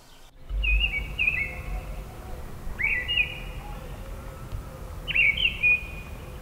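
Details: Mistle thrush song in a forest in early spring, near Neuchâtel: three short, melancholy, monotone fluting phrases about two seconds apart, each pitched at much the same level, over a low background rumble.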